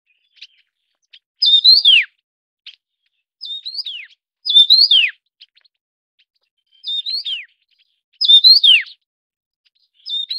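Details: A Taiwan yuhina, a Taiwan-endemic mountain bird, feeding chicks gives high, bright chirping notes in short bursts, each ending in a quick downward slur, repeated about every two seconds against quiet.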